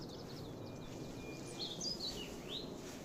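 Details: Morning chirping of birds, sharp high notes and short rising and falling sweeps tumbling together, loudest near the middle, set against constant low environmental hiss.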